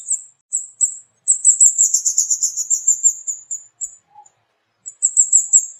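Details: Flowerpecker (burung kemade) in full chatter: a few separate high 'cit' notes open into a dense, fast trill lasting about two seconds, then scattered single notes and a final quick burst.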